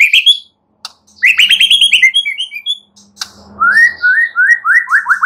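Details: White-rumped shama song of quick rising whistled notes in strings, broken by short pauses, ending in a regular run of upslurred whistles.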